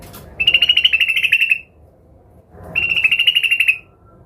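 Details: Sooty-headed bulbul in an agitated state, seeking a rival, gives two rapid chattering trills, each about a second long, separated by a short gap.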